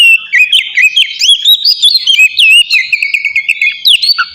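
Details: Kacer song meant to stimulate captive oriental magpie-robins: continuous fast, varied whistling with slurred up-and-down notes, trills and sharp high chips throughout, no pauses.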